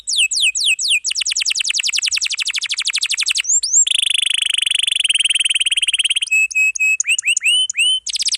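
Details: Canary singing long rolls with dense filling, meant as tutor song: a quick trill of falling notes, then a buzzy high rattle, flat sustained whistles and rising chirps in varied sequence.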